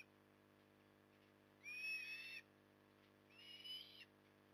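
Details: Osprey during evening feeding at Port Lincoln, Australia, October 2020; two separate thin, rising whistled squeals about a second and a half apart, the second quieter, against a low steady hum.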